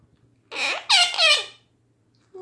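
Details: A pet female Quaker parrot indoors gives a shrill, squeaky phrase of three quick bent notes, the last two louder. A faint human voice begins at the end.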